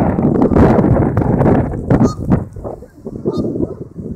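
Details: Two groups of geese approaching a lake and landing one after another: loud, overlapping honks from many birds, with splashing and rushing low noise beneath.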